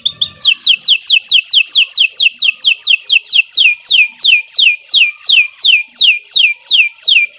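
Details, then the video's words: Canary repeating a clear whistled note that slides downward, about three times a second in a steady even series, from a long lively song used to prompt other canaries to sing. "Kicau Burung Kenari 148 II LUAR BIASA GACOR PANJANG Cocok untuk Masteran"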